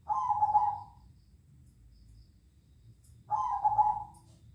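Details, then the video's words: Zebra doves calling back and forth at night: two soft, low cooing phrases, each about a second long and slightly wavering, separated by a pause of about two seconds, over a faint low background rumble. "suara perkutut bersautan dimalam hari"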